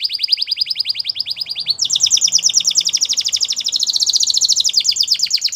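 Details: Continuous fast trilling from a Spanish Timbrado canary, first a bright pulsed roll, then a shift to a higher, denser, rippling trill that carries on without a break.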